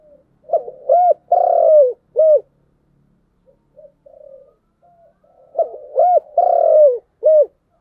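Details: Spotted dove in giọng đồng voice, two complete cooing phrases: stuttered soft opening, two arched coos, a long sustained falling coo, then a short closing coo, with quiet murmurs between phrases.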